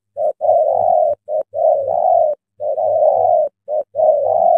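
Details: Tame decoy spotted dove cooing from a trap, used to lure a large wild spotted dove: low, hollow coos in a short note followed by a longer drawn-out note, repeated about once a second, with faint music.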